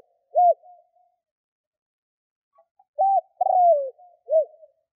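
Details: Cooing spotted dove used to stir up wild doves: a lone short coo, a quiet gap, then a full phrase of brief coo, drawn-out downward-sliding coo and final short coo, in a quiet setting.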